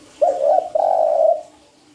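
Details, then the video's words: Spotted dove lure call used for trapping: a low, soft two-part coo, a short wavering note followed by a longer, steady hooting note, in a quiet indoor setting. "SUARA PANCINGAN TEKUKUR"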